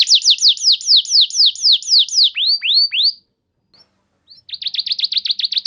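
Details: Canary training lure song: a rapid even series of descending whistled notes, a few slower sweeps, a pause, then a fast chattering burst.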